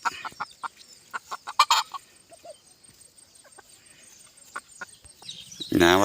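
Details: Bantam chickens on a hot evening giving spaced, short clucks with a few soft higher notes, then a sudden loud, harsh, rising burst at the very end.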